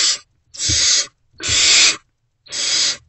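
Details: Great horned owlets in a nest box, 3 March 2024 before sunrise, awaiting food as an adult returns; four loud, drawn-out, breathy rasps about a second apart, light scuffling below.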